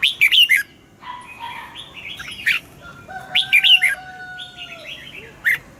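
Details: Morning song of a caged red-whiskered bulbul singing double notes in wild style, used for voice training: two bursts of quick liquid warbled notes separated by softer phrases and a long, even, whistle-like tone in the background.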